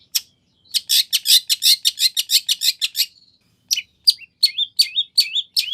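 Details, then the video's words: Long-tailed shrike with 'nagen' fillings, a song used as a lure to draw a shrike's answer: dense harsh chattering notes followed by high, slurred, whistle-like phrases. "Kicau Cendet Gacor Full Isian Nagen! Ampuh Dijadikan Pancingan Agar Cendet Langsung Nyaut"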